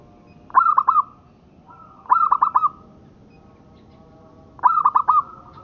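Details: Zebra dove of the local strain, recorded for tutoring: three stuttering whistled phrases repeated about every two seconds, each a clear note plus rapid rolling coos, a faint drawn note before the second phrase.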